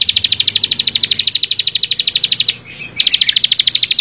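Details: Rapid, rattling trill of high, crisp chips from a Bar-winged prinia, about twelve notes a second for two and a half seconds, a short pause, then the trill resumes.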